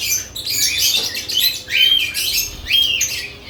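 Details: Lovebirds at added nest boxes chattering loudly, with harsh, high chirps and squawks in rhythmic bursts about once a second from several birds at once.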